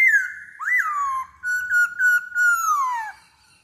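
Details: Black-throated laughingthrush whistling as a lure, a clear falling whistle with a brief upward flick, then several short level whistled notes merging into a long slow downward slide.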